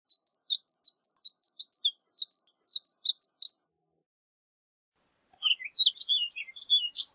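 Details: Horned lark, also called shore lark: a quick string of high, tinkling, chirping notes runs for about three and a half seconds, then a pause, then a second, more jumbled burst of squeaky twitters. No other sounds are heard.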